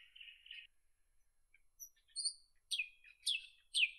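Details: Nightingale singing: a short buzzy phrase near the start, a pause, then high thin whistles and repeated sharp descending notes in quick succession, with no other sounds.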